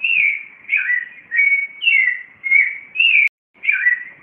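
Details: Clay-colored thrush (yigüirro) singing in Cartago, Costa Rica, at 4:45 am: loud, clear whistled caroling phrases, each slurring up and down, following one another about every half second with a brief break near the end.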